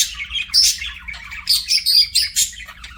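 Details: Pet budgerigar chirping: bursts of bright, high twittering and short squeaky notes, loud then quiet in quick pulses, with a faint low hum beneath.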